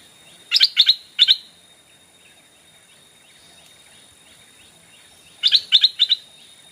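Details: Captive decoy Stripe-throated Bulbul calling to lure wild birds: two bursts of three bright, chattering notes about five seconds apart, with faint, soft repeated notes in the quiet background.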